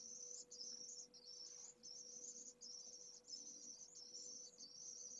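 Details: A pallid swift (Apus pallidus) chick from a second clutch, only hours old, begs vigorously for food in its nest at Jerez de la Frontera, Spain, late May 2022: very high, buzzy, insect-like trills in near-continuous half-second bursts over a faint hum.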